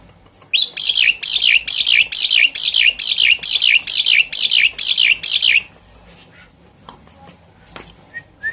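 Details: Javan pied starling, used as a lure to get a silent caged bird singing: about ten loud, harsh, buzzy notes that each drop in pitch, repeated steadily about twice a second, then a few faint clicks.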